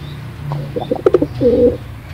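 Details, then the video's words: Brief pigeon call: a cluster of short clipped notes, then one sustained, wavering coo, with a low hum behind. "Suara burung merpati paling gacor"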